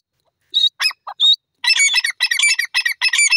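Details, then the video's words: Grey francolin, known as dakni teetar: a couple of shrill squeaky notes, then loud harsh, rattling calls repeated rapidly in a steady burst, clear against silence. "dakni teetar ki lovely awaz"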